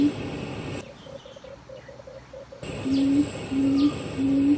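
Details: Barred buttonquail of the Taiwan endemic subspecies rostrata, recorded in Pingtung County, Taiwan, on 31 May 2020, giving low, steady hooting notes repeated about every half second amid loud broadband background noise.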